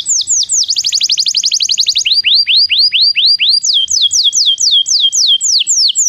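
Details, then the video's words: Song of a Belgian canary meant to teach non-singing canaries: a fast high trill followed by slower repeated falling whistled slurs, then a series of sharper descending notes about four per second. "Canto de canário belga - treinamento para canários não cantores"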